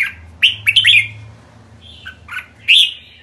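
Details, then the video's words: Red-whiskered bulbul, kekek call: a quick cluster of loud, bright, rising chirps, a short pause with a soft whistle, then one more strong chirping note. "Merbah jambul kekek"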